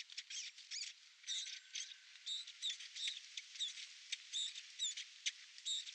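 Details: Eurasian blackcap singing during nesting: a rapid, scratchy warble of short high notes and chattering phrases with brief clear whistled notes mixed in, continuous over several seconds.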